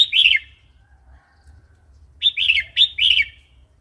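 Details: Red-whiskered bulbul, wild-style song for teaching young birds and wild-caught birds: a short warble, a pause, then three quick bright phrases of slurred whistles in a row.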